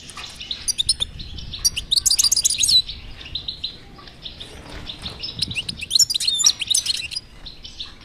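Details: European goldfinch twittering used as a stimulation recording (batbata) to get a silent goldfinch singing: dense bursts of high, liquid chirps and buzzy trills in loud clusters, with quieter twittering between.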